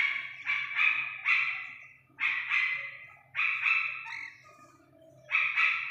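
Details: Iranian partridge chick giving loud, harsh, buzzy bursts, several in quick pairs, repeated roughly every second, over a steady low electrical hum.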